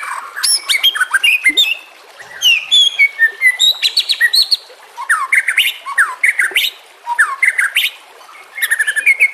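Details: White-rumped shama song recorded with natural sounds and trickling water, used as a tutor recording to train other shamas; rich, varied whistles and sharp chirps in rapid bursts, with rising and falling notes and brief pauses between phrases.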